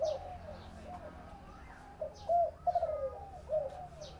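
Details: Spotted dove giving its 'thổ bầu' style call, a quiet coo or two, then a louder trembling phrase that drops in pitch, ending with a short coo; faint high bird chirps throughout.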